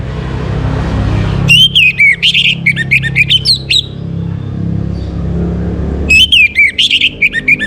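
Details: Morning song of an orange-headed thrush, played to bring birds into breeding condition. Loud, fast, varied phrases of sliding whistles and sharp chips pour out in two long bursts separated by a pause, with low background rumble throughout.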